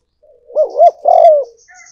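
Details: Spotted dove luring call: loud, close, arched coo notes rising and falling in a bubbling double, then a long strong croon, followed by brief higher chirps.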